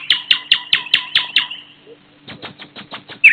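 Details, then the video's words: Thrush nightingale in spring at sunrise, delivering a series of about six loud, evenly spaced clicking notes, a short pause, then softer repeated knocking notes ending in a sharp high whistle. "bülbül sesi-Nightingale Voice"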